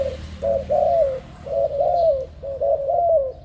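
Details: Spotted dove song sounding close and clean: three phrases of rolling coos, each a short note followed by a longer wavering falling one, spaced about a second apart.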